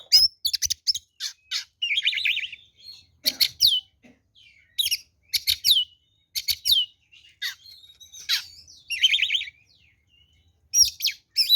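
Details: Fighting song of an oriental magpie-robin, used as a lure to rouse other birds: energetic bursts of piercing whistles, descending slurs and buzzy trills delivered in quick, irregular phrases.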